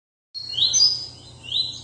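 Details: A captive tournament double-collared seedeater on its new perch sings a brief burst of high, sharp notes with quick rising sweeps, then another rising note, over a faint low hum, with its owner urging it on.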